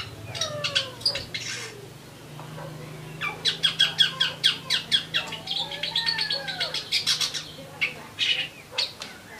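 Eurasian tree sparrows chirp in quick bright bursts, several notes a second in bouts of chatter, over a low steady hum.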